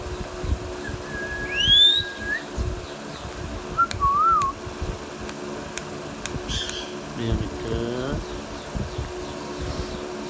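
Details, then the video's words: Indian ringneck parakeet kept as a pet, talking: a sharp rising whistle and a flat tone, then a short wavering two-note whistle, sharp clicks, and a low buzzy vocal burst indoors. "Ringneck Parrot Talking Natural Sounds"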